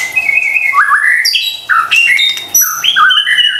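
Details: White-rumped shama lure song: clear whistled phrases with upward swoops, repeated in three similar bursts separated by short gaps.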